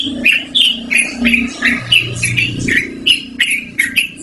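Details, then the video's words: Yellow-vented bulbul singing loudly and clearly, a song suited for luring or training birds: rapid gurgling, warbled phrases of rising and falling notes, roughly three per second, over a faint low background murmur. "BURUNG TRUCUKAN GACORR NGEROL DURASI PANJANG"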